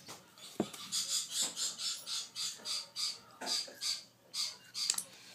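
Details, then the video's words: Baby African grey parrot begging while being hand-fed: rhythmic raspy, hissing squawks pulsing about twice per second, broken by a few sharp clicks. "African Grey parrot Baby's hand feeding ヨウム雛"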